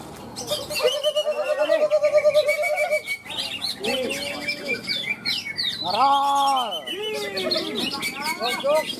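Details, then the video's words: Cucak ijo, the green leafbird, competing in a birdsong contest in Malinau, North Kalimantan, as the winning bird. A long stream of quick chattering notes gives way to clear, ringing, arched whistles amid other singing birds. "CUCAK IJO ARTIK Hattrick"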